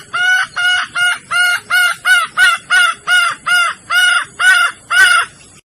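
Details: Female red junglefowl of Sumatra in heat, used as a lure: a steady string of about twelve loud, rich, nasal clucking notes, each around a third of a second, spaced a little under half a second apart.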